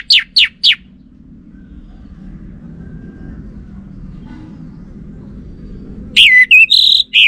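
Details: Orange-headed thrush, suspected female since it stays silent to a male's lure call: three quick, high downward-sweeping whistles, a pause over low hum, then a rich phrase of slurred whistles and held notes.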